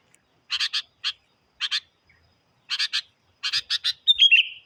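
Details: Lively sooty-headed bulbul used as a lure to provoke wild birds: grouped raspy chattering notes, two or three at a time with short pauses, ending in a bright twisting whistled phrase that slides downward; quiet background.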